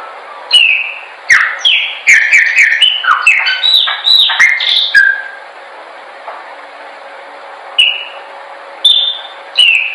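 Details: Chopi blackbird song used for training: loud bursts of clear whistled notes, many sliding downward, delivered in a rapid phrase for about five seconds, then a pause and single separate whistles; faint background hiss.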